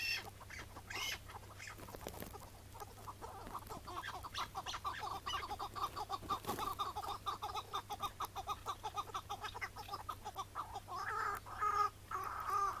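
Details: Chukar partridges calling on a May 2017 morning in breeding season, wild bird later released: steady series of clucking chuck notes about twice a second, building to louder, clearer calls near the end, low hum beneath.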